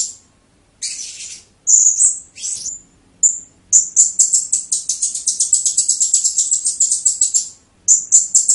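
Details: Blue-crowned hanging parrot giving 'tembakan' burst song: scattered shrill whistles and a harsh buzzy note, then a long, fast, evenly pulsed series of high piercing chips, ending with a renewed burst.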